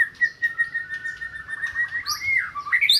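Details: A white-rumped shama gives sustained steady whistles, then quick rising and falling sweeps and high twittering notes, in song played to coax a silent shama into singing.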